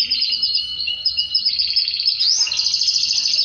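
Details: Canary song tied to mating with its female, a fast high pulsing trill that changes pitch midway, then a rising swoop and a bright sustained rattle.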